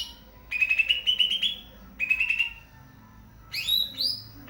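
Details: Greater green leafbird (cucak ijo) singing: a bright, rapid trilled phrase of high whistled notes lasting about a second, repeated after a short pause, then a sharp burst of higher rising and falling notes.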